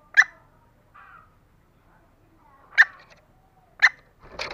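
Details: Female green junglefowl calling for males: three sharp, clipped notes spaced irregularly, with a soft buzzy note in between and a rougher burst of sound at the end.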